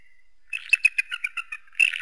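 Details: Eagle giving a fast series of high, sharp chittering notes, about six per second, after a brief faint whistle; a denser burst of chatter closes the sequence.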